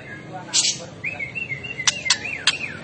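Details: White-rumped shama singing in an agitated state: a wavering whistled line that rises and falls, broken by short harsh rasping bursts, over a steady background hiss.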